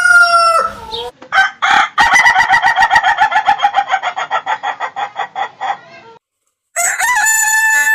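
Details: Rooster from a chicken farm with a crow opening, then a fast series of about twenty rhythmic clucking pulses that slowly fade, and after a short silence another bright, sustained crow.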